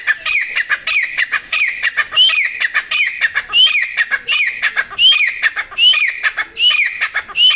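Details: Grey partridge hunting call, used to lure partridges: loud, harsh, ringing notes, each ending in a sharp rising squeak, repeated rapidly about every 0.7 seconds in a steady, insistent series.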